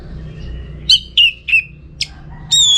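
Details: Orange-headed thrush singing, a contest-training recording from Bali: a few clear descending whistled notes at a steady pace, ending in a sustained higher whistle.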